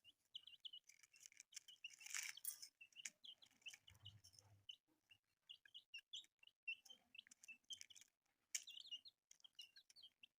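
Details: Newly hatched chicks cheep continuously in short high notes, many overlapping, with a loud rustling burst and scattered tapping throughout.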